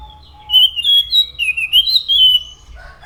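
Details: Anis macan thrush singing continuously: a rapid string of clear, high whistles that slur up and down, run together into one long, lively phrase.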